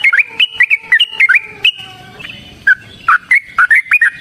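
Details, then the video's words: Yellow-vented bulbul's long fighting song, played to prompt other birds to sing: rapid looping whistled notes, a short pause with a soft tonal note, then renewed fast bursts of bright chips. "TRUCUKAN GACOR TARUNG ROPEL PANJANG"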